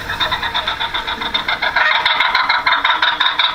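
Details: A ring-necked pheasant, an introduced species familiar to hunters and less common than it used to be, gives harsh, rapid, rattling calls in a steady churring stream, with a faint low rumble in the background.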